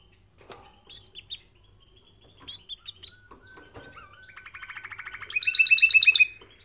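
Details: Canary song used for training canaries: scattered chirps and short whistles building into a fast rattling trill, then a loud rapid series of bright repeated notes at the end.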